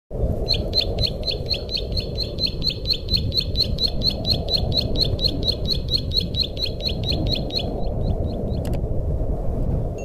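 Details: Bar-winged prinia song used as a master and lure sound for trapping: a rapid run of sharp, repeated ticking notes, about two per second, lasting some seven seconds, over strong low background rumble.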